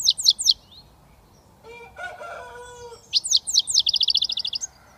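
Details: Young British goldfinch just starting to whistle gives high twittering notes, while a rooster crows in the background; the finch then resumes with sweeping slurs and a rapid buzzy trill.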